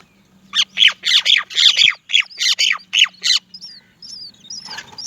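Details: Many Great myna chicks waiting to be fed by their mother, who cannot find food: harsh, buzzy squawks repeated in quick irregular bursts, about two per second, then a few thin whistled notes and a soft rustle at the end.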